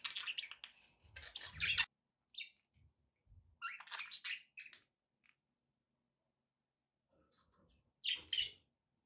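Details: Kept budgerigars chattering in harsh, buzzy bursts and scratchy chirps, irregular groups of notes with a long quiet stretch before a final squawk, some low knocks underneath.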